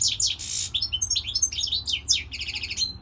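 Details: Dense goldfinch song: a buzzy harsh note, then rapid bubbling twitters and rising chirps, ending in a fast metallic trill and a thin whistle.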